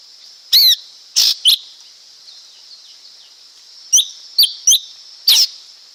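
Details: Song of a lesser green leafbird: emphatic chirps and raspy notes in pairs and triplets, a loud group early then another four-note burst, set over a continuous high hiss.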